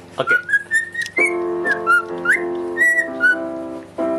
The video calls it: the cockatiel that whistles the song as her owner plays the electric piano